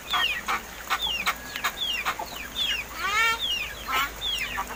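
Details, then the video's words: Young captive mynas about seven months old, described as quarrelsome and learning to talk, give clear falling whistles spaced about half a second apart. There is one buzzy, ringing phrase in the middle and scattered clicks around them. "MARTINEZ BIRD TALKING!"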